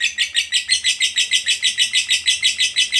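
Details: Fighter lovebird's 'ngekek' long trill, used to coax other lovebirds into song; evenly spaced harsh, buzzy notes about five per second, strong and regular throughout three seconds.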